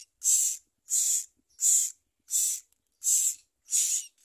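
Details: Six evenly spaced, loud hissing rasps from common myna young begging while the parents feed them worms and locusts, one burst roughly every seven-tenths of a second.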